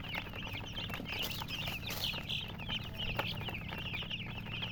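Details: Baby chickens keep up a busy, overlapping stream of shrill, quick peeping notes, each a short rising-falling chirp, over a low background hum and scattered knocks.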